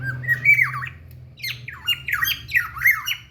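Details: Black-naped oriole, a local bird from Ijen, Bondowoso, heard in the morning: loud slurred whistled notes that waver up and down, in two bursts split by a short pause, over a low steady hum.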